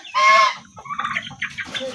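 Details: Large turkey seen on a village visit calling at close range: one loud harmonic honking note, followed by a jumble of softer rattling calls and a background murmur.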